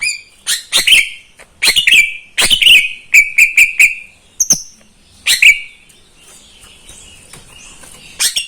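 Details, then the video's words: Caged greater green leafbird kept by a neighbour, singing in the morning; bursts of clear whistled notes with sharp clicky edges, some sliding down, in quick clusters separated by short pauses, then a quieter stretch near the end. "Kicauan cucak ijo di pagi hari"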